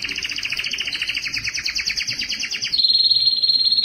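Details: Strong, long canary song meant to attract females for breeding: a fast rolling trill of repeated downslurred notes that switches to a steady, higher buzzing roll near the end.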